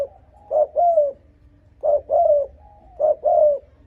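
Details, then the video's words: Luring coo of a spotted dove, meant to provoke rival wild males: three phrases spaced over a second apart, each a short hoot plus a longer, mellow, falling coo, with a quiet background. "Âm thanh Cu gáy thúc gù kích bổi đồng ÁC LIỆT"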